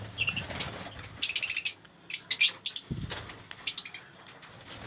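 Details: Colony of lovebirds in different mutations, such as albino and blue fisher, produces bursts of rapid, thin, high chirps in irregular clusters, with brief pauses, faint rustling and a low thump.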